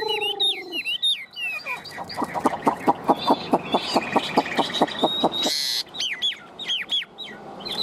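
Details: Tame, large-bodied Chinese hwamei kept as a cage bird. Short whistled phrases and a low drawn-out tone give way to a fast run of about twenty clipped, evenly repeated notes, then looping upslurred whistles.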